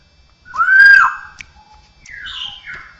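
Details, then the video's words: Straw-headed bulbul, cucakrowo, mimicking other birds, cats and humans: one loud arched whistle, then a softer falling warble. "suara burung cucakrowo isian dengan suara suara aneh bisa suara burung jenis lain, kucing, manusia"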